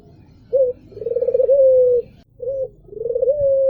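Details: Sweet cooing from an albino Barbary dove: two phrases, each a short opening hoot then a rippling, pulsed coo drawn out into a steady low tone, with quiet background hum indoors.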